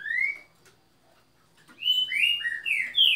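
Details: A green-winged saltator sings. One rising whistled note is followed by a short gap. Then comes a rapid run of four or five full, slurred whistles that swing up and down in pitch.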